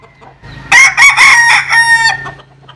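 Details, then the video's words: Jap Cuban bantam chicken crowing in the sun: a single loud crow of about one and a half seconds, broken into several harsh rising and falling syllables over a faint low background hum. "Gà Tre Jap Cuban Tắm Nắng. Gà Gáy/ Chicken Bamboo Jap Cuban Sunbathing. Crow"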